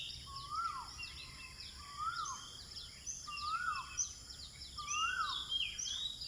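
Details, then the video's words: Dawn birdsong at sunrise in Eco Park, Bandar Seri Botani, Ipoh, Malaysia: a low, arched whistle repeats roughly every one and a half seconds beneath a busy chorus of thin, higher chirps from several other birds. "birds singing"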